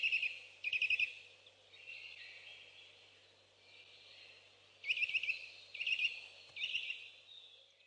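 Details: Saker falcon nestlings in Hungary on 11 May 2012, heard through a nest webcam: short bursts of rapid, rasping, harmonic calls at the start and again after about five seconds, with softer drawn-out whines in between.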